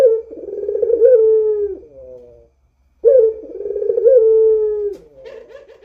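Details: Two prolonged, mellow Barbary dove coos in the 'rintihan' moaning style, each held about two seconds before a quieter drawn-out tail; from a chatty caged bird recorded for luring other doves.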